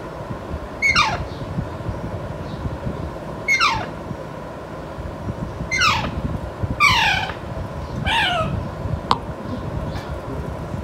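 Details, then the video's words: Caged Alexandrine parakeet, a five-month-old pet attempting to converse with a family member, gives five loud, grating calls that sweep downward, roughly every two and a half seconds, with a sharp click and constant background hum. "ALexandrine PArrot NAtural SOunds💥💥💥|| INdian RAw PArrot Calling"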